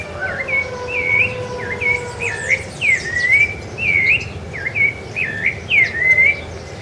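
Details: Rufous-bellied thrush (Turdus rufiventris), sabiá-laranjeira, singing on Ilha do Governador, Brazil, in January 2013: a continuous series of rich, looping whistled phrases, each under a second, mixed with rising and falling notes, over faint background hum.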